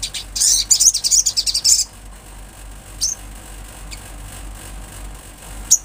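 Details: Olive-backed sunbird singing energetically outdoors: a rapid, buzzy run of high notes lasting over a second, followed by three widely spaced single thin chips.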